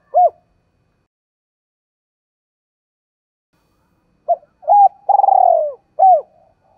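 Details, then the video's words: Spotted dove lure call in the giọng thổ voice style, used to stir wild doves into cooing: a lone short coo, a long pause, then two quick coos, a long rolling burred note and a final coo, in a quiet setting. "Chim Cu Mồi, cu gay kich boi nhanh noi gù/ tiếng cu rừng gáy"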